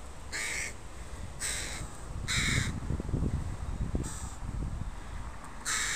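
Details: Adult and young crows of a park family, recorded on a Sunday: about six raspy caws in uneven sequence, with rustling and low thuds between calls.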